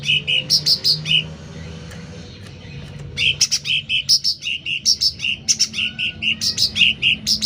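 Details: Full, lively song of a sooty-headed bulbul, suited to training caged birds or luring: loud bursts of short, liquid chirps, each with a sharp high accent, come in quick uneven runs, with a brief pause near the start.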